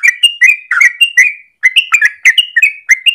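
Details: Short stretch of a yellow-vented bulbul's long morning song, a lure or master for training birds: chattering, bubbly notes with brief whistled slides and one small pause.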